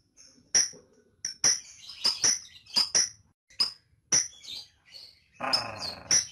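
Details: Lovebird ngetik, sounds used to provoke long ngekek singing: separate sharp, high ticking chirps, often in pairs, spaced irregularly with short silences, ending in a harsher, broader squawk-like burst.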